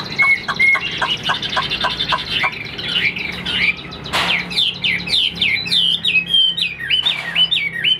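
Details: A tame (about 95%) caged Chinese hwamei, newly acquired and not yet in peak condition, sings loud, rich whistles, a quick run of repeated bright notes, then varied slurred rising and falling phrases; the room is otherwise quiet.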